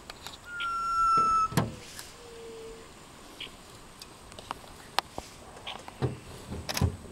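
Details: Sunbittern giving a single loud, pure whistle lasting about a second, steady then softly dropping, followed by a short lower note; scattered sharp clicks and chirps of other creatures fill the background.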